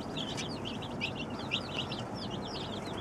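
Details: Newly arrived baby chicks, a group of twenty-seven, cheeping in chorus: quick high slurred peeps tumbling over one another continuously, with a low rumbling hum beneath.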